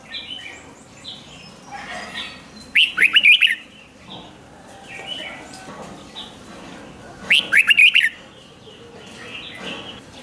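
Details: Red-whiskered bulbul giving rik-style song meant to excite caged birds: two brief, bright, stuttering phrases about four and a half seconds apart, with softer chirps and whistles from other birds throughout.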